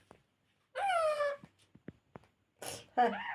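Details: Pet parrot vocalizing indoors: a drawn-out, nasal, harmonic sound that slides gently downward, then a few soft clicks, a short breathy burst and a brief bent tone at the end. A person says "hey" just afterward.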